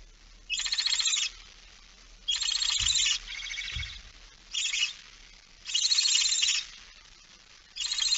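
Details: Barn owl on 17 September 2019 at 06:11 with female holding a mouse; six harsh, noisy hisses of varying length, evenly spaced, plus two faint low thumps.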